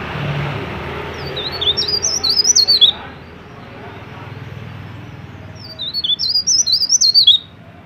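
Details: High, squeaky, rapidly jumping whistled notes come in two short phrases of about two seconds each, separated by a quiet gap. A mountain leaf warbler in strong song, used to encourage other leaf warblers to start singing.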